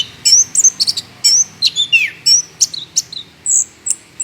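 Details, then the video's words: Short, busy burst of Orange-headed thrush song used as a singing lure for other birds: crisp whistled notes and downward slurs following one another about every third of a second. "pancingan anis kembang gacor"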